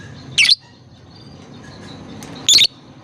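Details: Young lovebirds are meant to learn singing from this: two brief, piercing high chirps about two seconds apart, with quiet hiss between them.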